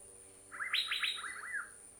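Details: Asian fairy-bluebird in Thailand giving a quick run of about eight liquid, slurred whistles lasting just over a second, over a steady high insect-like hiss.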